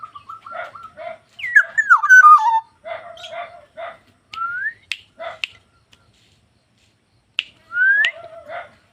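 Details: Black-naped oriole delivering a loud, rich whistled phrase that tumbles downward, surrounded by repeated nasal rasping calls and two clear upslurred whistles.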